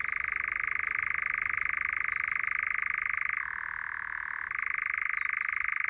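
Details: Nightjar on a local heath giving a continuous, even mechanical churr, a dry rapid trill that drops to a lower pitch midway for about a second before returning to the higher tone; faint thin high whistles from other birds above.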